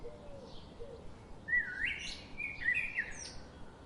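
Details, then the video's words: A daily garden visitor gives a few sweet, sliding chirps in two short bursts in the second half, with faint low cooing-like notes early on and steady background hum. "The chirping sound of these daily visiting birds"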